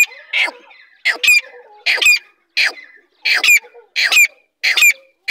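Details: Female grey francolin, described as big in size, gives loud raspy squawks with a shrill squeaky overtone, about eight notes in five seconds, spaced slightly unevenly with short silent gaps between them.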